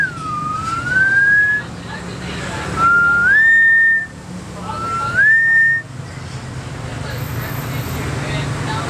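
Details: Common hill myna, a caged male at a restaurant in Battambang, Cambodia, filmed at dusk in July 2011, whistling at passing girls: three clear rising whistles, each a low slide stepping up to a held note, over a low background hum.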